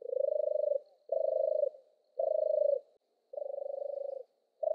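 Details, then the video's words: Low trilling purrs from a European turtle dove, four phrases with the last drawn out longer, and a faint high tone in the background. "Suara burung merpati kura-kura, european turtle dove bird"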